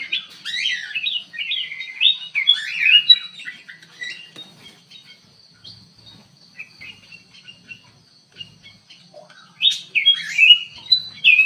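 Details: Black-capped bulbul in an aviary singing: an opening flurry of loud warbled whistles, a quieter stretch of soft chirps, then another bright burst of slurred notes, with a steady high-pitched whine throughout.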